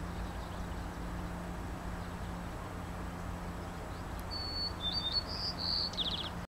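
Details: Migrant White-crowned Sparrow singing at French Creek, Vancouver Island, BC, on 4 May 2010; its song differs from local breeders'. A high clear whistle, then buzzy notes and a quick trill to close, over a steady low hum.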